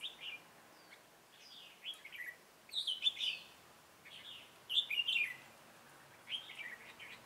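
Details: Loud, rollicking red-whiskered bulbul song in a decoy trapping session of 27 October 2017: five warbling, bouncing phrases of several notes, coming every second or so, with other high chirps behind.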